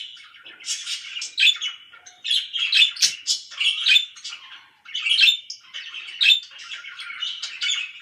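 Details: Pet budgerigars, described as very loud, giving dense scratchy warbling chatter with bursts of high chirps, phrases broken by short pauses about every second or two, with little else heard.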